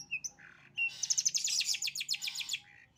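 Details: Long-tailed shrike in sembur-style song: a few thin whistles and a buzzy note, then a dense rapid burst of scratchy chattering notes lasting over a second, with a low hum beneath.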